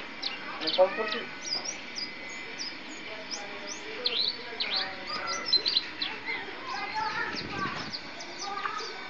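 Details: East Java champion white-eye songbird at a contest: bright, high chirps and brief slurred whistles tumble in fast irregular runs, while people chatter in the background.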